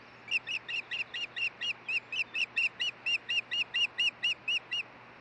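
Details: Nesting osprey at Hellgate, Montana, mid-June 2013, near noon, calling during the changeover on the nest. A steady, unbroken string of about eighteen shrill whistled chirps, roughly four each second, over a faint low hum.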